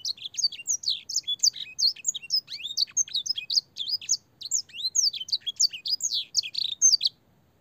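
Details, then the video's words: Long, clear canary song filled with blackthroat phrases, used for tutoring young canaries: fast high chirps and downslurred notes repeated in a steady chattering run, ending abruptly. "burung kenari gacor panjang full isian blackthroat dan sanger suara jernih masteran kenari paud"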